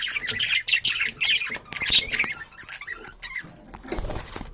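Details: Budgerigar (Melopsittacus undulatus), warble.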